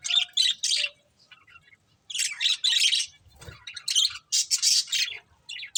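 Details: Breeding pair of budgerigars making chirping sounds: loud grouped harsh chirps in short runs, a quiet pause near the middle, then further rapid chirp bursts.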